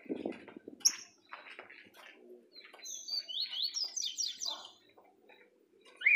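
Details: Green-winged saltator singing in orderly style: a stretch of fast, high whistled notes rises out of background clatter and low handling noise, with a sharp slurred whistle at the very end.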